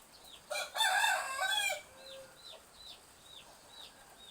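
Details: Rooster crowing to greet the morning in a village backyard during soft drizzle: a loud, harsh, multi-part crow lasting over a second, followed by a run of high, downward-sliding chick peeps against a rain hiss.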